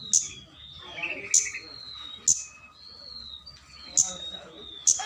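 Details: Energetic flowerpecker luring call used to summon a rival: crisp, high ticking notes spaced irregularly about once a second, with thin drawn-out whistles and chatter of other birds behind.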